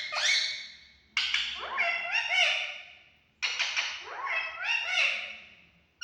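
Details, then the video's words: Green parrot, described as a male, talking; loud, harsh, harmonic voice-like phrases with quick rising and falling sweeps, delivered in three bursts about a second apart, fading between bursts, with no other clear sounds. "male parrot talking very nice"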